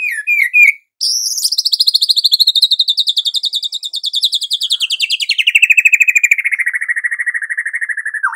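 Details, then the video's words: Excited white-rumped shama song for morning listening: a few slurred notes, then a long rapid rattling trill that slowly falls in pitch over seven seconds. "MURAI BATU GACOR || MURAI ANDA LANGSUNG EMOSI"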